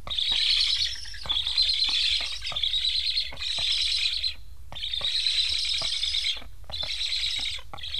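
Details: Hungry black stork chicks in an Estonian nest beg with harsh, wheezing hisses in roughly one-second bursts after parents return but leave without feeding, apparently put off by newly fitted transmitters.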